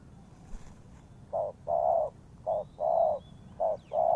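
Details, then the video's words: Lure-call of a spotted dove for trapping: after a quiet opening, three pairs of deep coos, each a clipped note followed by a longer smooth one, a faint higher whistle in the background. "The Sound Of Spotted Dove is good,Bẫy cu gáy bằng mồi trồn"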